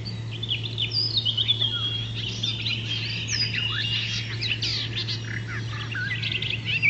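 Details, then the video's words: Wild icterine warbler in continuous, rambling song, a dense stream of twittering, squeaky and scratchy notes with occasional clear whistled slides, backed by a steady low-pitched hum. "Burung Kicau Alam Liar (Icterine Warbler birds )"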